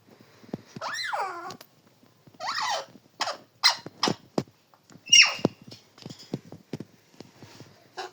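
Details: Parrot talking indoors: a run of loud, bending, speech-like syllables that swoop down and up, followed by short sharp clicks and chattering bursts.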